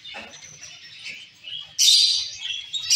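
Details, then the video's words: Zebra finch colony: several zebra finches give nasal, buzzy high calls amid soft chatter, with a loud harsh burst near the end. "Zebra finch sound"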